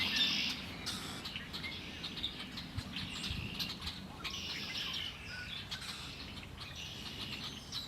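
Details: Birds singing near Lake Erie, opening with a loud, bright trill, then quieter twittering and scattered chirps over a low background rumble.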